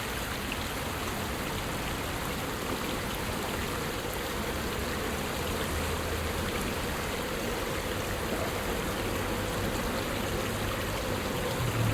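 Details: Steady rushing water like a stream or light rain, with no animal calls heard.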